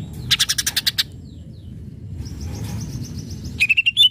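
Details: Greater green leafbird in full song, meant to provoke rival leafbirds into answering: a rapid burst of sharp repeated notes, a quiet stretch with faint high trilling, then a fast run of clear whistled notes at the end.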